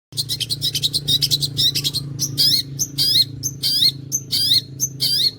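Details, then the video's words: Long-tailed shrike in full song, its fast delivery likened to a sewing machine: bursts of high, sharp chirps and down-slurred whistled notes come in quick uneven clusters over a steady low hum. "CENDET GACOR MATERI TOP BOLO SPITNYA SPEK MESIN JAHIT"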